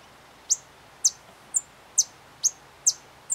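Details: A White-vented Violetear at Candói, Paraná, gives sharp, very high chip notes, seven in about three seconds, repeated roughly twice a second over a quiet background.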